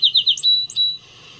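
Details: Song Sparrow song: three quick, clear, bright notes, then a high sharp note and a long steady whistled tone, against a quiet background; the bird repeats the same song type a couple of times, from a repertoire of about ten songs.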